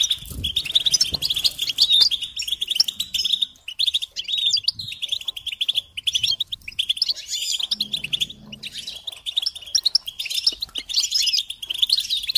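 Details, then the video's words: Goldfinch singing on a training tape meant to stimulate other songbirds. Continuous, fast, chattering twittering with liquid trills and short buzzy notes, broken by short gaps near four and seven seconds. A soft low rumble sits in the background. "Encouragement to motivate and support goldfinches in songs"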